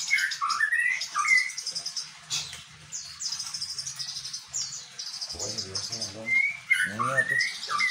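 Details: A white-rumped shama delivers bar-winged prinia–style song: short rising whistles, then long runs of rapid, thin high notes repeated in chattering series, with a person's voice cutting in briefly near the end.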